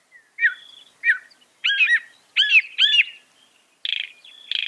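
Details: Northern mockingbird, known for copying other birds, delivering loud varied phrases: slurred looping whistled notes, then harsher rasping bursts near the end, with brief silent gaps.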